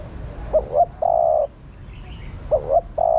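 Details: Female spotted dove calling to rouse a male. Its phrase of two quick rising hoots and one drawn-out mellow coo comes twice, about two seconds apart, against a quiet, low rumble.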